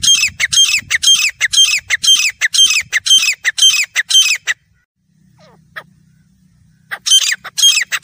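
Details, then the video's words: Grey francolin (desi teetar) giving loud, harsh, ringing notes repeated about twice a second, pausing briefly before resuming; a low hum in the background. "Grey Francolin Teetar Ki Awaaz"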